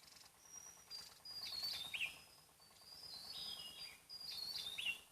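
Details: Javan tesia, a small bird found only on Java, singing loudly in the wild: long thin high whistles, then rapid twisting, falling notes, in two or three phrases over a faint buzzing backdrop.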